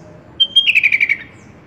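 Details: Sooty-headed bulbul song used to tutor pet bulbuls. Two short clear whistled notes lead into a fast run of about eight bubbly chirps that slide gently downward, heard over soft hiss.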